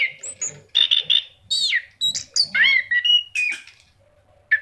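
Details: Orange-headed thrush singing energetically: rich, quickly changing phrases of sweeping whistles, buzzy rattles and sharp downslurred notes, packed closely together, with a short silence before a final note.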